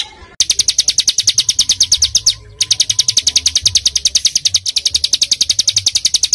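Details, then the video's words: Small songbird singing dense tembakan song used to train pet birds: long, even volleys of piercing high notes about five per second, broken by two brief pauses. "BURUNG KECIL FULL TEMBAKAN"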